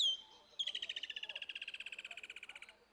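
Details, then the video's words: One Woodland Kingfisher (Halcyon senegalensis) gives its characteristic call: a sharp, high opening note, then a long, rapid trill of about thirty ringing pulses that slowly drops in pitch and fades. "and i'm just going to shut up for a quick second and let you listen to the call and look at the call of the woodland kingfisher"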